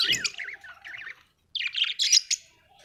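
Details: Budgie, an Australian bird, warbling in a rapid run of wavering, squeaky chirps, then a short silence, then a second burst of bright, buzzy chatter that fades out.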